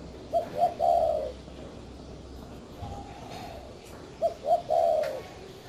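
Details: Spotted dove from a breeding garden in Ba Vì, Hanoi, northern Vietnam, giving two bouts of soft, mellow cooing, each a pair of short notes followed by a longer, drawn-out coo, with a faint hum and room noise between them.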